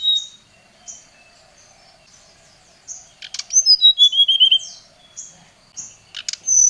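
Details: Oriental magpie-robin singing to provoke a rival: scattered thin high notes, then a loud burst of falling whistled notes near the middle and a final sharp high whistle.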